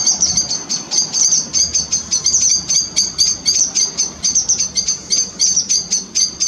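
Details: Grey wagtail family by the River Chelt: thin, very high, sharp call notes repeated rapidly and almost without pause, several overlapping, with a soft low rush of river water underneath.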